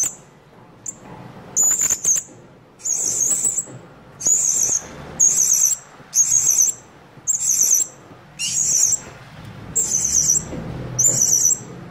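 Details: Blue-crowned hanging parrot lure calls used to summon other birds: about ten shrill, buzzy trilled bursts, each half a second or so, repeated roughly every second, with light clicks and rustles underneath.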